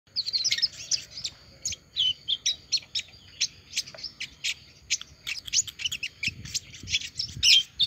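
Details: Olive-backed sunbird that has just finished moulting and is singing again: a steady stream of short, sharp, very high chirps and ticks, several per second, with no pauses across the whole stretch.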